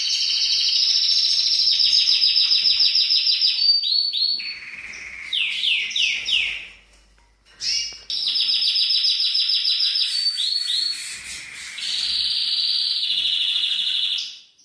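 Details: Male canary in full song to stimulate a female for breeding: long rapid trills, a lower rolling section, a run of downward-swooping notes, a brief pause, then renewed fast high trills and a steady buzzy tour.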